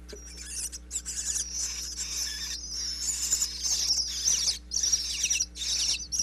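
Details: Baby bluebird nestlings inside a Pennsylvania birdhouse, recorded close up through a crack in the back by a wireless microphone, chirp as parents arrive to feed them: dense, high, rapid twittering in overlapping bursts with brief pauses, and a steady low hum underneath.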